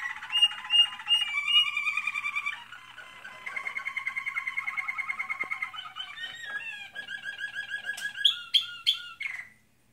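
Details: American Singer canary in training delivering varied song: quick chattering phrases, a long even pulsed roll, then rising and falling whistles and a few sharp chirps before stopping.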